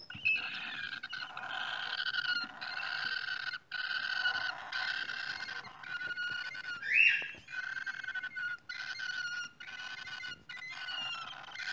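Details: Cockatiels at a nest give harsh, raspy, buzzy calls held for about a second each, repeated nearly continuously with short breaks, and one sharper squeak near the middle.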